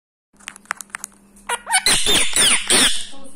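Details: A 7-year-old rescued pet Indian ringneck (rose-ringed parakeet) in India, rubbing its beak and talking, gives a few sharp ticking clicks, then bursts of harsh, raspy, speech-like chatter with squeaky whistled slides over a low steady hum.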